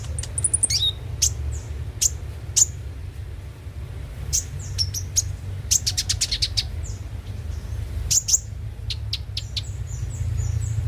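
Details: Lure song of the konin (Van Hasselt's sunbird) meant to spur singing: bursts of needle-thin high ticks, fast rattling clusters near the middle, and short high whistled slurs toward the end, above constant low hum.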